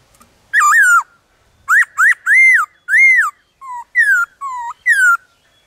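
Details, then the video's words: A wild Black-throated laughingthrush sings in the forest with many voices: loud, clear whistled notes, each arching up and down, some lower and falling, in a quick varied series of about ten phrases. "Khướu bạc má hót ngoài rừng Nhiều Giọng"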